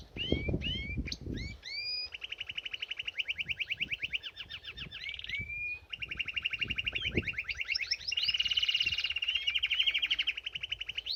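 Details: Canary singing while bathing in a birdbath: sharp upswept whistles, then long series of fast rolled trills changing pitch, including a loud bright steady trill, with splashing at the start.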